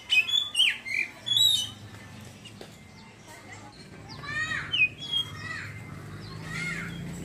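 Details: Oriental magpie-robin giving ngeriwik twittering, then singing freely: bursts of sharp downslurred whistles and chirps in two clusters, early and after a quiet middle stretch, over a low background hum.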